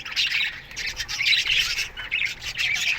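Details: A budgerigar colony in an aviary at morning time, with pulsing bursts of shrill chirps and warbled squawks coming roughly every half second from several birds.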